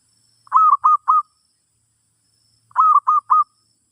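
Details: Zebra dove song used to teach a new bird, with two identical groups of three soft, rolling coos about two seconds apart in otherwise silent surroundings.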